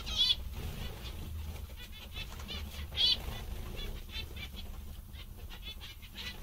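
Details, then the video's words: Cheerful zebra finches calling: brief nasal beeping notes with a couple of louder honks, irregular and overlapping, against a constant low background hum. "Mandarins bastante engraçados e contentes"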